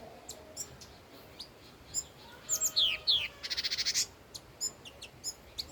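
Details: Old wild red-whiskered bulbul singing: a short phrase of bright, downward-slurred whistles, then a fast, buzzy rattling trill. Scattered thin high chirps from other birds come before and after.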